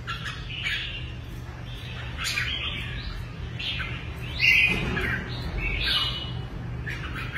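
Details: Red-whiskered bulbul kept as a fighting songbird, giving a run of quick whistled, warbling phrases with short pauses, one louder squeaky burst in the middle, over a constant low electrical hum.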